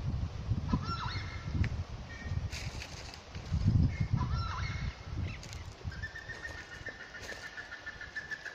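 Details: Southern screamer in the Chaco of Santa Cruz gives loud, honking, trumpet-like calls in short bursts, ending in a drawn-out, even note, over heavy wind rumble.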